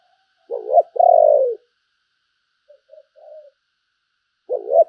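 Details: Spotted dove used as a decoy, cooing to call: a short hoarse coo and a longer falling one, a pause with quiet soft notes, then another hoarse coo begins.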